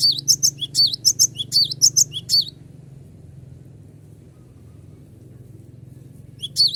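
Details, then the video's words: Cinereous tit in full song, used as a lure recording to call rivals into singing: a rapid run of high, sharp two-note whistled phrases repeated for over two seconds, then a quiet pause with a soft low hum and a brief phrase returning at the end. "GLATIK BATU GACOR PANGGIL LAWAN AGAR IKUT BUNYI"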